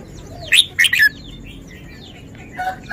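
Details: Red-whiskered bulbul singing one lively three-note whistled phrase, rising first note and two slurred lower notes, followed by soft distant chirps and a faint crow.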